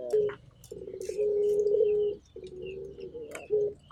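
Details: Turtle dove heard more softly: low, drawn-out coos broken by a short gap, over a faint room-like hum. Light chirps from other birds are scattered throughout.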